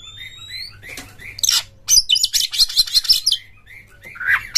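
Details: Oriental magpie-robin singing loudly: a soft repeated series of short whistled notes, then a sharp burst and several seconds of fast, dense, high chattering phrases, ending with a slurred whistle.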